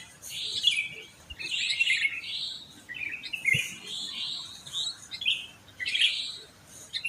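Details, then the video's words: Dawn chorus of sooty-headed bulbuls in a housing complex, played to stimulate a reluctant singer: lively chirped phrases roughly every second, with faint background birds. "Pancingan Ampuh untuk Terapi Burung Kutilang Malas Bunyi"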